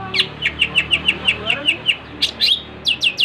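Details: Long-tailed shrike, locally cendet, singing 'gacor': a fast even series of about ten short whistled notes, roughly seven per second, followed by a pause and a few sweeping upward notes, with low background hum.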